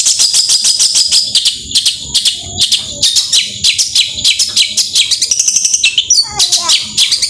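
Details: Rapid tembakan song of a long-tailed shrike, used to prompt reluctant birds to join in: fast staccato high chips about three per second, turning into a rising whistled run and descending slurred notes near the end.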